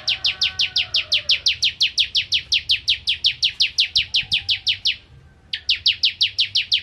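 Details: Bar-winged prinia of the Kristal type, singing actively in the nembak ngentrok style: a fast, steady run of high, sharp, downslurred chips, about three per second, with one short pause near the end. The background is quiet.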